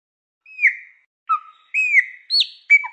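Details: Chopi blackbird song played to warm up a pet bird: a few separate clear whistled notes, some sliding downward, with short gaps between phrases in an otherwise silent background.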